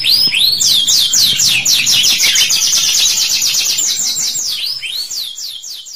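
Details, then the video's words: Tutor song for young canaries: a canary's long 'cuit cuit' phrase of about four fast curved chirps per second, a bright high rolling trill, followed by looping whistles as the song fades out. "KENARI CUIT CUIT GACOR PANJANG PANCING KENARI PAUD BUNYI"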